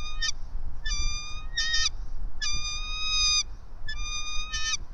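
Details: Bald eagle at its nest atop a pine about 90 feet up in Johnson City, Tennessee, home of a resident pair, at 18:48: clear, steady-pitched whistled notes rich in overtones, given singly and in quick pairs about every second, over a low rumble.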